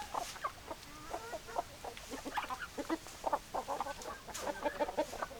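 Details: Hens clucking in a flock: many short, overlapping clucks and brief squawks in quick irregular succession, with a constant noisy background.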